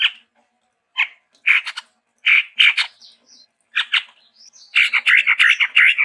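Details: Chestnut-rumped babbler (Stachyris maculata), a Sumatran endemic, singing actively with variation: a varied run of harsh, chattering notes and short bursts, with brief whistled slurs between them, repeated irregularly.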